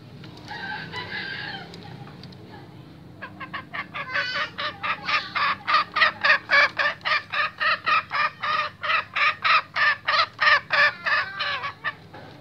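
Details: A restless male junglefowl opens with a brief harsh crow-like note, then gives a fast run of sharp clucks, about three or four each second, for nearly ten seconds.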